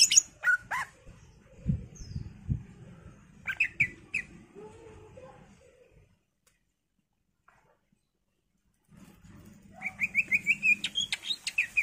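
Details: Greater green leafbird in an energetic song full of fillers, used to prompt other birds to sing: scattered chirps and whistles over a low murmur, a silent gap, then a quick rattling series of repeated whistled notes.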